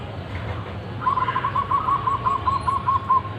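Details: A wild local zebra dove with a big voice gives an even string of about a dozen soft bouncing coos on one pitch, over a steady background hiss and low rumble.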